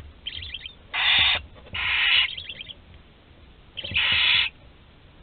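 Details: Barn owl chick alone as the last one in its nest, Théding, 26 July 2020: short fluttering chitters lead into loud harsh hisses, three main bursts in all, with a soft twittering trill after the second.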